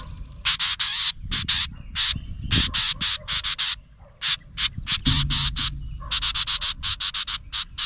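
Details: A house wren scolding a camera near its nest gives many short harsh chattering bursts in uneven clusters. The rasping notes repeat quickly, with faint low background noise.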